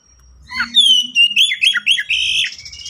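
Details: Brief Oriental magpie-robin phrase: a clear falling whistle followed by a string of fast warbled, slurred notes at high pitch.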